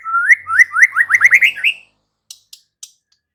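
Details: White-rumped shama uttering a quick series of short rising whistled notes that climb slightly in pitch, followed by a few faint clicks.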